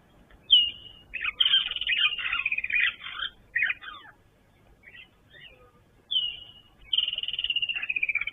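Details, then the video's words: A woodland kingfisher calls at a waterhole at King's Camp on 1 December 2023 while impala, including a lamb, drink. It gives a sharp high note and a long, rapid, descending trill, twice, with faint other bird notes. "that beautiful woodland kingfisher calling. There"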